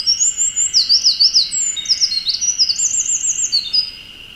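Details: Eurasian wren on a dead treetop in Okuchichibu, Japan, pours out a loud, rapid song of high notes and rattling trills, roughly three notes per second in bursts, ending abruptly; a steady shrill hum continues underneath.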